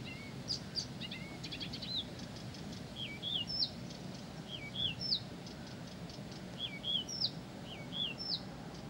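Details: Blyth's reed warbler singing persistently, opening with quick ticking notes, then repeating a pair of slurred, rising-falling whistles roughly every second, the phrase copied again and again, over a quiet outdoor background.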